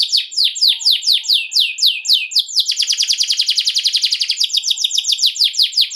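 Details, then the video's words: Ngerol-style Atlantic canary lure song: steady series of downward-swept notes about four a second, then a tight rapid roll, then slower sweeps again, all bright and high with a clean background. "KENARI MANA YANG NGAK AKAN RESPON, DENGARKAN PANCINGAN KENARI NGEROL INI"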